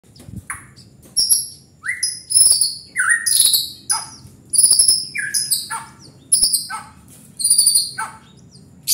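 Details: White-rumped shama in lively full song, mixing high whistled notes near the top of its range with lower downward-sweeping phrases, delivered in quick bursts separated by brief pauses.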